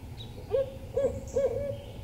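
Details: Male Barred Owl near his nest box in eastern Massachusetts, late afternoon in near-freezing weather after a harsh winter, as the female left the egg: three short, mellow hoots about half a second apart, the last drawn out and trailing off, over low rumble.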